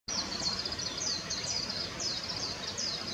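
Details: A Blue rock thrush that had just flown in at Settsu Gorge, northern Osaka, Japan, gives thin, high, sibilant notes in quick chattering bursts, several each second, over a steady background hiss.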